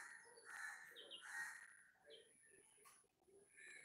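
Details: Two strong, grating calls from a bulbul chick that has fallen, then quieter scratchy notes and a few brief higher chirps over a constant faint whine.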